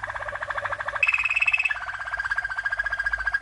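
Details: Waterslager (Malinois) canary from 1997, a first champion, in training song: fast bubbling roll of pulsed notes, stepping up to a higher sustained trill, then dropping to a lower steady rolling tour.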